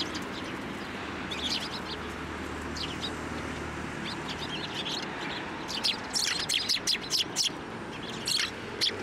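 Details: Eurasian tree sparrows fly onto a hand to be fed at a Tenmangu shrine on 9 December 2023. Short, sharp chirps cluster in the later seconds over a steady low hum and background noise.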